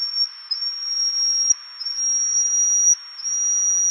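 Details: At Tataka in Taiwan, 9 April 2015, a Yellow-bellied Bush Warbler of the island's endemic subspecies gives a drawn-out, piercingly high pure whistle, nearly continuous and broken by short pauses roughly every second or two.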